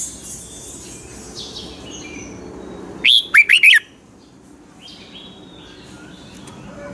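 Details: Red-whiskered Bulbul, a caged Thai bird of the Pa La-u strain, giving a 'double song' style phrase. A single short burst of four bright, warbling whistled notes stands out midway through otherwise quiet, hissy surroundings with faint distant chirps.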